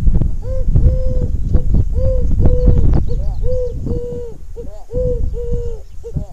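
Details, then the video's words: Ring-necked dove giving repeated short, hollow cooing notes, each a level tone with a brief rise and fall, several per second in uneven runs, over steady low rumbling and thumping noise. "Ring Neck Dove"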